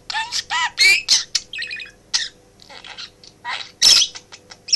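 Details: Male pet budgerigar indoors beside its owner's home office desk, chattering; ringing warbled notes, buzzy trills and sharp clicks, bursts separated by quieter mutterings, faint hum throughout.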